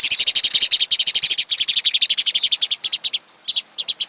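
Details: Osprey pair at their nest on Kent Island, Maryland, on the morning of 26 June 2018, captured by a nest camera: a loud, rapid series of sharp, high chirps runs almost without pause, then breaks into short bursts.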